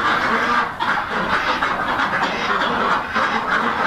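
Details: A purebred Rouen duck breeder flock, a heavy, flightless mallard-coloured meat and egg breed, keeps up a steady chorus of overlapping nasal quacks and chatter, with no clear pauses and no other sounds.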